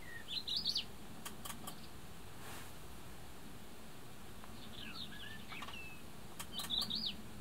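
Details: A rufous-tailed rock thrush at Claret, Lleida, recorded from inside a hide, gives short, quick warbled phrases of fluty, mid-high notes, three bursts a couple of seconds apart, over a steady low rumble of background noise.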